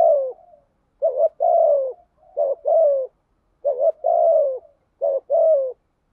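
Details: Spotted dove decoy in a steady cooing bout to entice wild doves: four quick low phrases, each a short rising note joined to a longer descending coo, spaced about a second apart.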